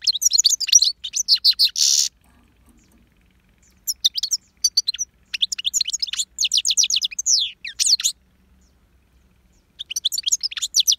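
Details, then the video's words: A goldfinch sings in quick bursts of high, tinkling twitters and buzzy trills, broken by short pauses. "Goldfinch singing the best chirping / goldfinch song"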